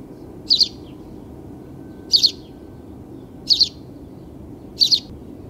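A sparrow gives four short, bright double chirps, spaced about a second and a half apart, over a low steady rumble of background noise.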